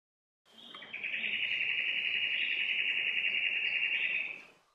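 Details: Spectacled monarch (Symposiachrus trivirgatus), a rainforest bird of eastern Australia, gives a fast, high, buzzy rattle held at one steady pitch for about three and a half seconds, nothing else heard.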